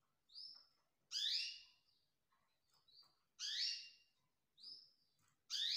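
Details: Canary chicks bred in 2020, calling softly: thin high whistled notes alternate with louder, harsher, broadband squeaky calls that drop in pitch, roughly every second or two, in quiet surroundings.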